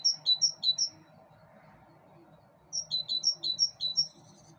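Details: Balcony birdsong: a short burst of four high twittering chirps, a pause of nearly two seconds, then a second run of about seven quick bright tweets over faint hum.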